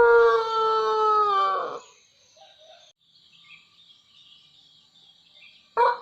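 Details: Tail of a melodious Pelung chicken crow: a rich harmonic note held for almost two seconds that fades out, followed by near quiet and a short loud burst at the very end.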